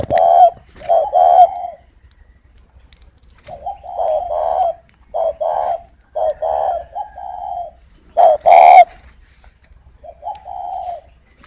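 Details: Spotted dove from a breeding aviary in Ba Vì, Hanoi, Vietnam, cooing toward a hen: irregular bursts of low mellow coos, some double, some single and drawn out, with quiet gaps and faint room noise.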